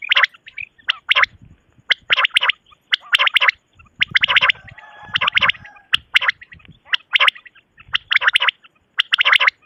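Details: A quail (batair) gives harsh, buzzy, gargling bursts about once a second, each a quick cluster of rasping notes, repeated steadily with no other sounds.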